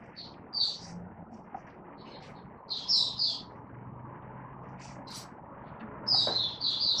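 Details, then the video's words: Oriental white-eye (Malaysian Mata Puteh) kept in a cage and not yet in form, 'buka sing' singing, 1 August 2023: a few short high twittered phrases spaced apart, set against steady low hum and background noise. "Malaysian Mata Puteh - Buka Sing"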